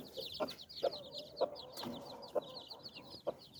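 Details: Mother hen with nine chicks, gathering them under her wings, gives low, short clucks roughly every half second to a second, while the chicks keep up a constant high, thin peeping.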